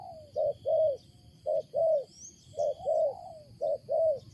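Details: A wild spotted dove utters its loud, odd coo, mellow hollow notes grouped in pairs with one slurred, falling note, steady rhythm, and faint distant chirping of small birds.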